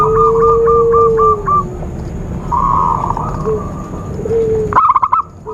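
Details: Zebra dove call series used as a trapping lure: evenly spaced, bouncing coo notes, then a smoother rolling phrase. A sharp, loud burst of staccato coos comes near the end over a long, level background whistle.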